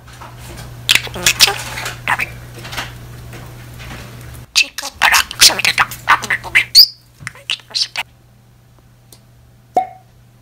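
A budgerigar chatters in a fast, scratchy, speech-like stream of high warbles and clicks, with a low electrical hum underneath and a few quiet gaps.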